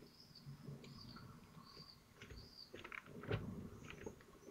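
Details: Common kestrels at a nest in Théding, France, on 25 June 2023 during feeding as prey is brought in; thin, high, arched calls repeated about every second, with rustling and low background rumble.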